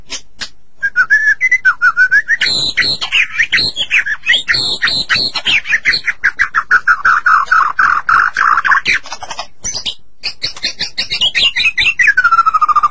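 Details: Master-recording song of a White-rumped shama, played to spur caged shamas into song: a long, fast rattle of repeated clipped notes under varied whistled phrases, sliding lower, then high chirps and a final descending whistle.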